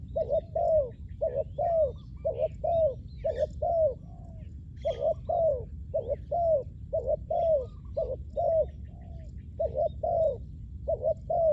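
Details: Spotted dove used to draw in wild doves, producing a sustained sequence of soft paired coos, short then long and downslurred, in regular runs separated by a short pause, over faint background chirps.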